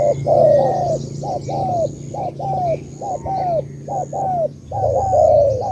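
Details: Cà Mau type spotted dove cooing in rapid successive pairs of short and longer falling notes, nearly continuous, over a low humming background with faint high twitters.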